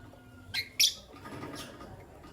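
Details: White albino and pastel green Fischer's lovebirds in the morning give two sharp, piercing high chirps in quick succession, then a softer fading chirp over a quiet background.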